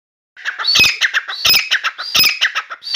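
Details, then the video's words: Grey francolin, locally called Dakhni teetar, newly kept indoors in a room and singing continuously; loud harsh ringing phrases with bright upper notes, repeating about every 0.7 seconds after a short silent start. "Grey francolin Dakhni Teetar song | Teetar awaz| teetar voice| Dakhni Teetar voice"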